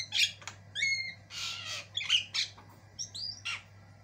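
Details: Varied song of a white-eyed Javan myna used as tutor material: scratchy squawks alternate with clear slurred whistles rising and falling, plus a broad rasping burst near the middle, all above a low background hum.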